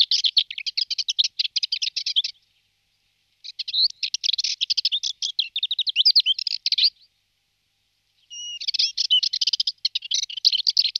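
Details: A male Subalpine warbler on migration in Malta, feeding on aphids, gives three bursts of fast, scratchy, high-pitched twittering, each two to three seconds long, with short silent gaps.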